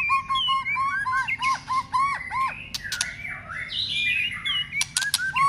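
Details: White-rumped shama roused and trained for contest singing, snapping repeatedly: a rapid series of clear whistled notes that dip and rise, mixed with sharp broadband clicks, then a burst of harsher, sliding high phrases.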